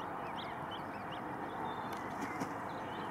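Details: Dozens of Arctic geese and their young among white flowers; short high-pitched rising peeps come several per second, scattered and overlapping, set against constant loud rushing noise with a few faint clicks.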